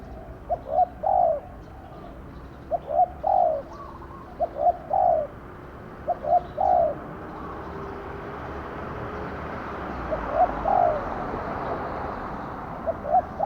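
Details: Captive spotted dove used as a lure at a trapping site, cooing in a steady series: brief paired notes followed by a drawn-out falling coo, phrases repeated every few seconds over a broad noisy background.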